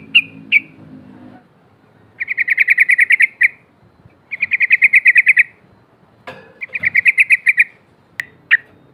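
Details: Female sooty-headed bulbul calling out opponents with a rolling 'cok cok' call, for luring: three loud rattling bursts of about ten quick, bright notes each, with scattered single chips before and after.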